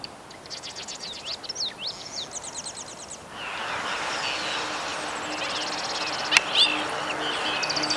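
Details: Allen's Hummingbird at Upper Newport Bay, Orange County, California, gives thin, very high, buzzy chips in quick runs, then a rushing, hissing noise takes over, with a few more faint chips and a sharp click.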